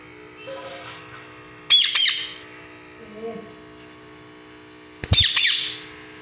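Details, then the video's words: Pet parrot indoors giving two loud, harsh, high squawks about three seconds apart, with a faint low murmur between them and a steady background hum. "cute parrot 🦜 and parrot voice"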